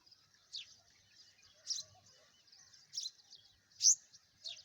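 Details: Bird sounds: a faint, high twittering background broken by short, sharp chirps about once a second, with a quiet outdoor setting.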